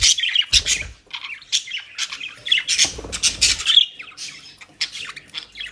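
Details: Caged pet budgerigars in South Holland, Netherlands, enjoying dry leaves and grass, giving bursts of harsh squawks and bright warbling chatter in quick succession, with brief rustling thuds between phrases.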